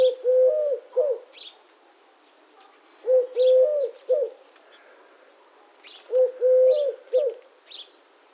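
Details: Eurasian collared dove repeating its triple coo three times at an even pace of about one phrase every three seconds, with light chirps from other birds in the background.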